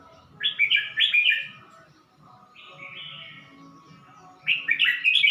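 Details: Caged red-whiskered bulbul at Suan Phueng, Ratchaburi, Thailand, recorded 29 May 2020, newly singing after three weeks with a new keeper: three bursts of warbled, bubbly phrases, the first and last fast and loud, the middle one softer.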